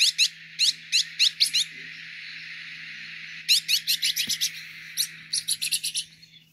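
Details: Song of a green-headed tanager: rapid series of high, thin, downslurred seep notes in two bursts of roughly six to ten, over a steady background hiss.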